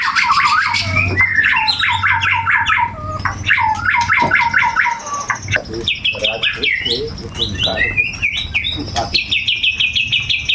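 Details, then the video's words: Captive white-rumped shama (murai batu) with imitated brewes and cucak jenggot (bulbul) phrases; dense, loud song of repeated chattering notes, quick trilled series and bright whistles, with faint low background hum. "murai batu isian brewes/cucak jenggot"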